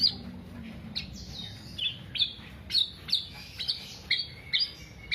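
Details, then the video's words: Kepodang (Black-naped oriole) singing 'sampe teler', used as a lure or master recording; soft, thin whistles punctuated by sharp chips, spaced about once a second. "Kepodang Podang kicau sampe telerrr"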